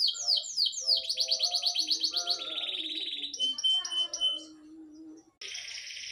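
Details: Panda canary singing fast chopped trills that change pitch from phrase to phrase, then a dense buzzy trill ends abruptly; a short break precedes a burst of hissy sound.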